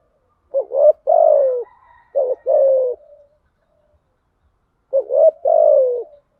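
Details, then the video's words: Female spotted dove used as a lure for wild doves, giving three deep coo phrases, each a pair of quick rising notes and a drawn-out falling coo, with a soft trailing murmur and a silent pause. "Tiếng chim cu gáy mồi giọng lôi cuốn hấp dẫn đủ bài[ THÚC GÙ , GÁY GỌI ] dùng kich bổi nhanh nổi"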